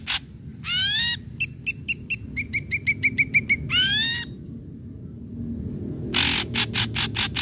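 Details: Ashy drongo in lively full song, used to stimulate untrained, silent or stalled drongos to sing: a sharp buzzy burst, rising harmonic whistles, then a fast run of short clipped notes, ending with harsh repeated rasps.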